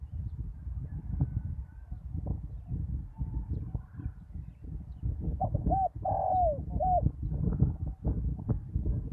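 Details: Spotted dove used as a decoy bird on a ground arena after a storm. A short run of four low, hoarse coos comes near the middle, set against constant low rumbling wind and handling noise.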